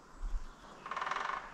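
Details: A woodpecker sitting on a pole in a green forest with blueberry bushes drums: a quick, even burst of hollow, resonant taps lasting about half a second, preceded by a dull low thump.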